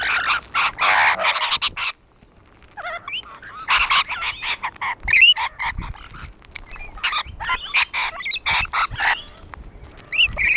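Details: Rainbow lorikeets gathered on a wall keep up loud, grating screeches and shrill chattering, bursts tumbling over each other, a short lull near two seconds, then squeaky upslurred whistles among the raucous calls.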